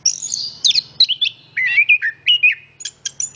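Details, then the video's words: Brief burst of orange-headed thrush song (anis kembang): a high warbled opening sliding into lower twisting whistles, ending in clipped sharp chips, with a soft low hum beneath. "Anis kembang Istimewa Gacor banget ,suara burung"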